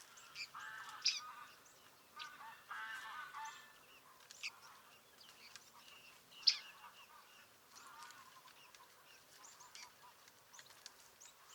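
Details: Bearded reedling at Liepāja, Latvia, July 2023, giving scattered short, nasal, harmonic calls at irregular intervals over quiet background, with a sharp click in between.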